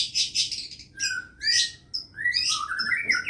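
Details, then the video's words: Long-tailed shrike singing an imitation of a lovebird: harsh buzzy high chirps, then slurred whistles sliding up and down, delivered in quick bursts with short gaps. "pentet isian lovebird"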